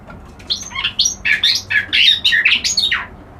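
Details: Reed warbler (kerak basi alis putih) giving a quick run of rasping, squawky notes that jump up and down in pitch, packed closely together for about three seconds.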